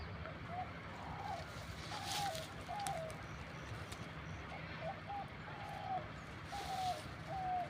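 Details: A dove, recorded zoomed from far away and not visible, gives soft, low, hollow coos in short phrases about once a second, a short call then longer ones, with people talking and a steady background hum.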